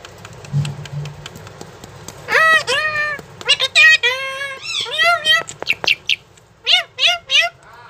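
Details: Talking pet parrot calling "mummy": a string of nasal, speech-like syllables with clear rises and falls, broken by short pauses, in a quiet room.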